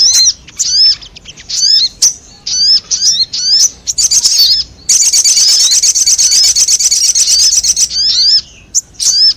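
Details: Sogon calls played to attract wild birds: repeated high hooked chirps with a fainter lower echo note, then a long rapid buzzing trill, then scattered chirps again.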